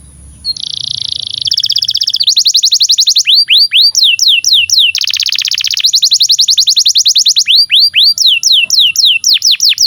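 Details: Long canary song played to train young canaries and silent birds to sing. It begins with a buzzy, steady tone, then moves between rapid rattling tours and slower rows of looping, downslurred whistles.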